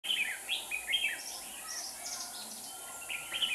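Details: Red-whiskered bulbul singing at a trap set with two lure birds to catch wild birds in Hòa Bình, Vietnam: short bright warbled phrases, quick rising and falling notes in bursts, over a steady faint hum.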